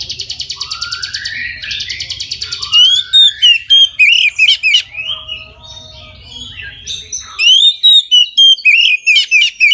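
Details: Oriental magpie-robin in full midday song, played to get other magpie-robins singing: rapid rattling trill with rising slurs, then loud clipped whistled notes in quick series, a quieter warbled passage, and another burst of strong whistles.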